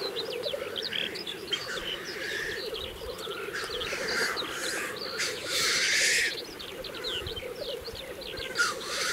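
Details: Lekking black grouse in April 2024 in Kologriv Forest, Russia, keep up a continuous low rolling bubbling chorus, cut by harsh rushing hisses near the middle and end, with songbird chirps scattered overhead.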